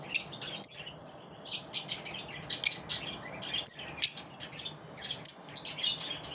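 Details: Lovebirds kept in a group, birds said to repel one another: sharp high chirps and squeaky notes in short bursts, several callers overlapping, with brief loud clicks roughly every second.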